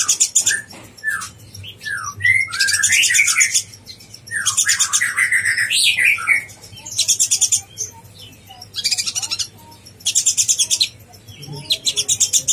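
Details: Konin blorok in bold, chatty form, a master recording to provoke other konin: loud rattling high trills alternating with quick downslurred whistled notes and twittering, in repeated bursts of about one second.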